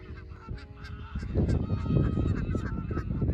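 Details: A flock of geese pairing up at a nature reserve on a sunny spring morning honk noisily, with deep, rough, overlapping calls tumbling over each other several times a second, and a few higher calls mixed in.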